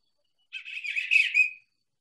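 An Eastern Bluebird gives one soft, warbled phrase of a few blurred notes, just over a second long, against a quiet background.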